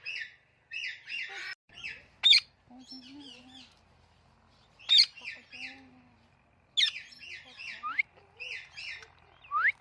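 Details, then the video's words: Talking parrot giving natural chirps: clustered high, bright chirps in bursts, with sharp rising whistles and clicks between them, plus a faint low murmur in the middle. "Talking Parrot Natural Chirping Sounds"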